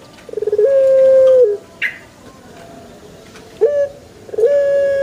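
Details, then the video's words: Pelung chicken giving a shorter crow: a stuttered start into a level held tone of about one second, then further brief rising crow notes later. "THE BES ORIGINAL SOUND // puter pelung Andalan"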